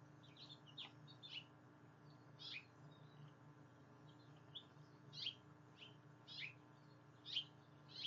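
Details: Female ladder-backed woodpecker on a hummingbird feeder giving short, sharp high chips at an uneven pace, roughly one every two seconds, over a steady low mechanical hum.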